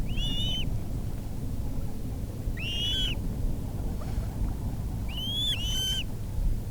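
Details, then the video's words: Coot in its natural wetland habitat giving short, arched, whistled calls with a nasal ring, repeated in three bouts over several seconds, some doubled, against a steady low rumble of wind or water. "Coot Bird Sound | Real Calls of the Wetland Water Bird"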